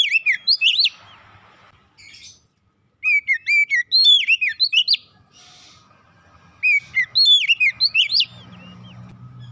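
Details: Oriental magpie-robin kept at home, its song used to coax other kacer into singing: repeated bursts of quick, loud, twisting whistles and sharp chips, with pauses between, and a low hum near the end.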